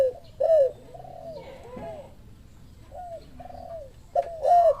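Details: Spotted dove answering a lure call: loud arched coos near the start and end, with fainter answering coos between, each a short downslurred hoot, over low background hum.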